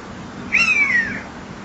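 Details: Common buzzard calling close to a nest-box camera's microphone at 19:38 in late September 2011: a single clear, drawn-out mewing note that slides gently downward, over constant hiss.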